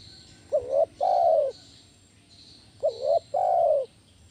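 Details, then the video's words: Spotted dove lure call in the 'kuk 1' style for training other doves: two phrases, each a short double-peaked rising note followed by one long, steady, mellow coo, with a constant faint high hiss behind. "SUARA BESAR PANCINGAN TEKUKUR KUK 1 GACOR"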